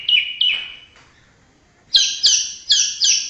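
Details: White-rumped shama from Indonesia, a clean-whiskered bird, singing: a few high whistled notes, then a pause and a run of four loud falling whistles about every half second.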